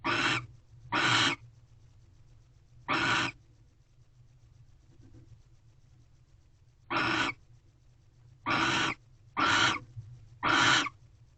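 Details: At a Corral owl box late on 19 February 2023, a female barn owl enjoys a rodent gift brought by her provider male. Harsh, noisy screeches come singly or in pairs with gaps of up to four seconds, over a low background hum.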